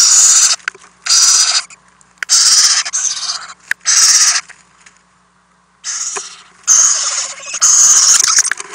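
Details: Nest-box owlets during overnight feedings on April 10, 2018, recorded by a nest camera: a dense run of harsh hissing screeches, several overlapping, with a short silent pause midway before more rasping bursts.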